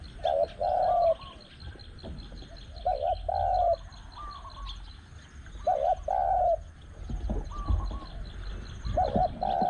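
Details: Spotted dove cooing while a caged decoy is used to lure wild doves at spot 14; repeated two-part coo phrases about every three seconds, softer answering coos in between, and low background noise.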